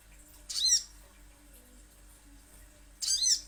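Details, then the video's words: Little spiderhunter heard in lure recording. Two harsh, squeaky high notes about two and a half seconds apart, each with a downward sliding tail, over a faint steady hum. "Pancingan Sogon ~ Sogok Ontong Pasti Bunyi"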